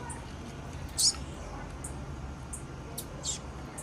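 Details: Calls of a female blue-black grassquit: one louder, sharp high chip, then several fainter thin ticks at uneven intervals, with a constant low hum underneath.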